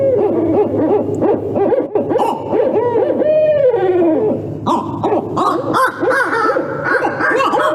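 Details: Several Barred Owls caterwauling, typically heard in the middle of the night in North American woods: a wild, nonstop tangle of overlapping hoots, cackles and wavering rise-and-fall wails, sounding like monkeys or rabid coyotes.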